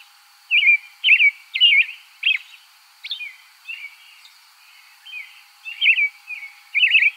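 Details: Song of an American robin (Turdus migratorius): a run of short caroling phrases, each a clear looping whistle, given roughly twice per second with softer, thinner notes between them and an even hiss behind.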